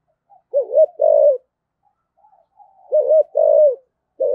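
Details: Spotted dove used as a decoy, 'giọng thổ' voice, cooing and calling with two-ending phrases. A double hoot then a long coo, repeated after a quiet gap with faint murmurs, and a new phrase starting at the end.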